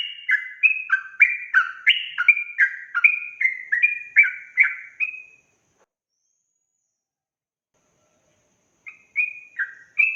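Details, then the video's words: Sooty-headed bulbul in ropel song: five seconds of rapid, tumbling whistled notes, then about three seconds of silence before the bubbly phrases resume. "Suara Trucukan Ropel Gacor"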